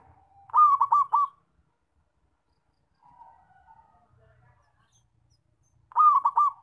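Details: Zebra dove, loud call used to lure birds into traps: two bursts of rapid rolling coos about five seconds apart, with softer drawn-out coos in the gap.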